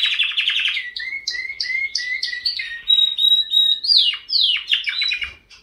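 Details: Canary song beginning with a dense trill, then a string of evenly repeated two-part chirps, clear whistles, and a final burst of fast descending notes.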